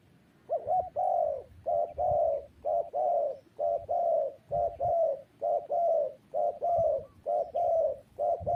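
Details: Spotted dove giving low, mellow coos in short-long pairs, a brief note followed by a longer drawn coo. Pairs repeat steadily, roughly once a second, through the clip. Faint low background rumble.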